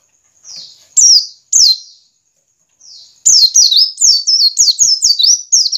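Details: A white-eye (pleci) lure song meant to get white-eyes singing gives very high, thin, down-slurred notes: a few spaced chips, then a quick run of about ten twittering notes, with no other sounds.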